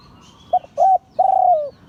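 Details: One 'liu tan' phrase from a spotted dove of an auspicious line: a brief coo, a slightly longer coo, then a sustained mellow note easing downward, with little else audible.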